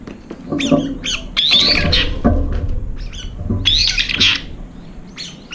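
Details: A group of brown-eared bulbuls rushes an almost empty food bowl, driving off approaching rivals; piercing, drawn-out squealing calls come in two loud bursts, mixed with shorter harsh notes and faint rustling.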